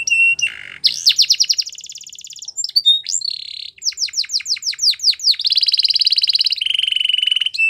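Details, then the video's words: Canary singing a varied song: a short whistled note, then fast rattling trills, a sweeping series of downslurred chirps, and a long steady rolling trill with a lower-pitched tour at the end. "Canary Singing Birds Sounds At Its Best"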